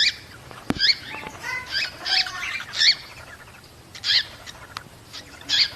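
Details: Cockatiel calls played to encourage pairs to breed: bright, short whistled chirps with sharp harmonics, given in clusters roughly every half second to a second, over a faint steady background hiss.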